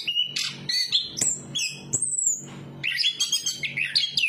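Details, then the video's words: Chestnut-capped thrush, a songbird of Southeast Asian forests, singing a varied run of loud whistled phrases: clear steady notes, slurred rises and falls and quick high twitters, with a short pause near the middle. "Burung Anis kembang berkicau"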